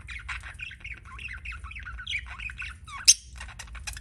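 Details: Soft budgie chirping: a string of small looping warbled notes, rising and falling, with one sudden sharp click near the end.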